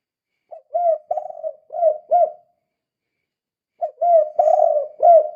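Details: Kuk 2 cooing from a spotted dove in full voice, used to entice other doves to call: two phrases of mellow, hollow notes, the second with a longer, warbling middle note.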